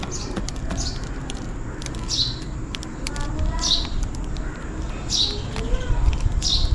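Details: On a rainy day, sparrows call for food with sharp, high chirps spaced roughly a second or more apart, set against a constant low wash of rain noise.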